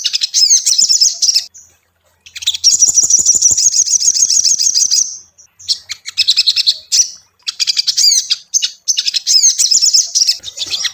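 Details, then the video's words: Ruby-cheeked sunbird song for prompting a caged bird to sing: bursts of shrill, rapid chattering and squeaky slurred notes, broken by short pauses, including one long fast trill in the middle. "SOGON PANCINGAN mp3 Cocok untuk melatih mental sogon lekas bunyi"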